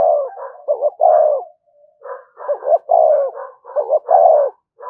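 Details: Lure cooing of a spotted dove, 'thúc gù' style. Rapid runs of short low hoots mixed with long falling coos, with a brief soft pause midway and layered fainter coos behind the main phrases.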